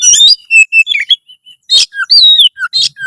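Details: Oriental magpie-robin (kacer) singing loudly, a training recording meant to raise breeding drive and fighting mood: short loud whistled notes and rising slurs, a sharp burst, then falling whistles with brief gaps.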